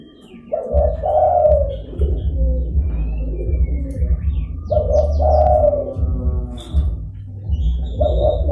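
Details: Zebra dove calling to lure wild doves and rivals: three bursts of soft, rolling coos about four seconds apart, each a short stutter leading into a longer warbled phrase, with a constant low hum and scattered high chirps of other birds.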